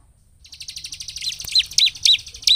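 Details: Bar-winged prinia (ciblek) in full 'gacor' song, used as a lure to rile other prinias into singing: a fast series of high, sharp chips that swells in loudness, with a few short hooked whistles near the end.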